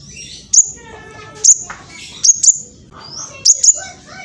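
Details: Juvenile mistletoebird recorded on a phone in East Java, Indonesia, its sound used to provoke other birds to sing. Sharp, very high chip notes come singly or in quick pairs about once a second over a faint background murmur.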